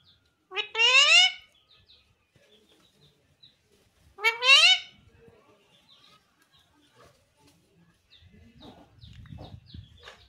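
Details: Talking pahadi parrot that says "mummy": two harsh, rich harmonic squawks roughly three seconds apart, then near silence, with faint low rustling toward the end.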